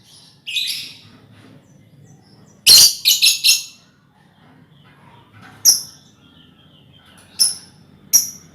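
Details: Lovebirds in a colony, used as a lure to prompt trilling, giving harsh, high screechy calls: a burst of four rapid shrieks, then single sharp chirps spaced a second or two apart over faint background hum.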